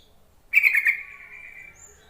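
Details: A single rich, bubbly chattering burst from a yellow-vented bulbul that trails into a fading note, used as a call to get reluctant bulbuls singing.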